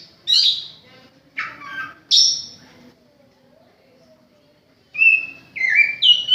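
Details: Oriental magpie-robin kept at home: a few harsh buzzy notes, a quiet pause of about two seconds, then several clear whistled notes stepping up and down.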